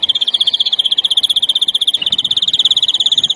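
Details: European greenfinch, larguero song style for novice birds: a rapid high trill of even pulses with a brief stumble and slight pitch dip midway, then continuing at the same pace.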